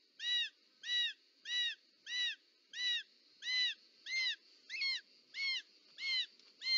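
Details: In Parc Natural dels Ports, Catalonia, on 18 July 2024, a short-toed snake eagle calls at its nest during a snake delivery; eleven ringing, downward-curving notes repeat steadily, with a soft background rustle and constant hum.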